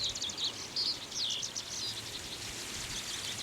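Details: Common reed bunting singing energetically in a cloudy wetland in Aomori, Japan, in mid-late July near the end of the breeding season; a quick run of high, thin notes, some rising or falling, over a steady hiss of background noise.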